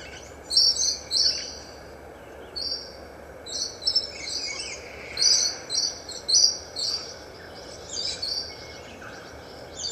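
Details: Kaka, Nestor meridionalis, on its first day of exposure to a mirror, giving high, thin chirps and short squeaky phrases in scattered bursts every second or two over a steady background hiss.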